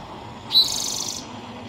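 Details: In March in northern California, a male Spotted Towhee sings in spring, probably seeking a mate or claiming territory. He gives one sharp, high introductory note, then a fast, dry, buzzy trill lasting about two-thirds of a second, over a faint hiss.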